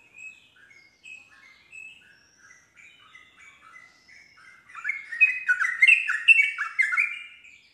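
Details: Yellow-vented bulbul (trucuk) singing to provoke other bulbuls, including a reluctant one, into answering with rapid 'nropel' singing; soft spaced bubbly whistled phrases build into a loud, dense run of rich warbling notes over the last three seconds.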